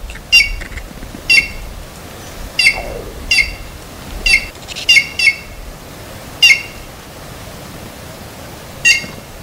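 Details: Galo-de-campina, or red-cowled cardinal, in the Caatinga of Brazil. It gives crisp, harsh, ringing single notes, sometimes doubled, spaced about one to two seconds apart against a quiet hiss.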